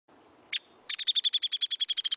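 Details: Downy woodpecker call from Missouri, played as an example, whose call goes down and tapers off at the end. A single sharp note, then a rapid even series of about fifteen high notes, slightly falling in pitch.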